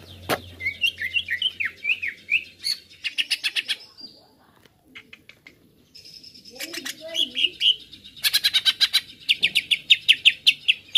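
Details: Greater green leafbird lure song meant to provoke birds: bursts of rapid rising-falling chirps, then harsh buzzy rattles and a pause, followed by dense fast trills and sharp repeated notes.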